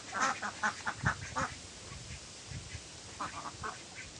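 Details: Ducks, with Mandarin Ducks, Mallards and Pekin Ducks among the flock, quacking in a quick run of harsh, nasal bursts for about a second and a half, then a pause and a second shorter cluster of quacks near the end.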